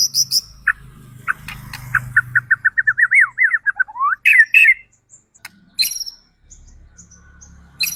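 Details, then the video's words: White-rumped shama song used to provoke other birds into singing: a rapid series of repeated whistled notes around two seconds, rising into a sweeping phrase, then scattered sharp high chips with gaps of quiet. "Pancingan Murai Agar Cepat emosi dan bunyi"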